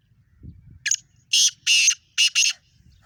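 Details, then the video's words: Black francolin calling in Sindh, Pakistan. A loud, harsh, grating phrase of five rasping notes arrives in quick succession, the last two paired closely, after a faint low rumble. "beautiful Awaaz Kala Teeter"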